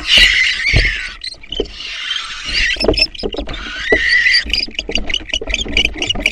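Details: Fight at a barn owl nest, where the father returned with a rat and drove out an intruding female: loud jumbled squealing screeches and rapid scratchy bursts with heavy thumping.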